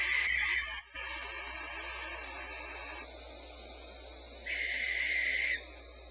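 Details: Five owlets inside a nest cavity hissing as a caretaker looks in to count them at dusk; steady breathy hisses, one near the start and a louder burst about a second long later.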